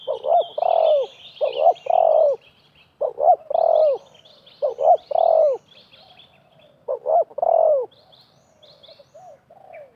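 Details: Wild and decoy spotted doves competing in call at a bird-trapping site: four rhythmic phrases, each two short coos and a long sliding-down coo, about every two seconds, with busy high-pitched chirping of small birds throughout.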